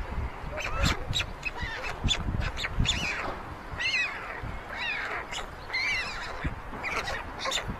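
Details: On a chimney nest in Ságvár, Hungary, on May 22, 2024, white stork chicks squabble while older siblings take food from the youngest; thin, rising-and-falling harmonic whines come in scattered bursts over steady low rumble.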